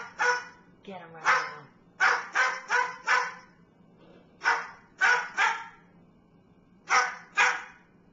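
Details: Bird mimicking a barking dog like a watchdog, giving sharp broadband barks in irregular clusters of two to four, separated by short pauses, with no other sounds.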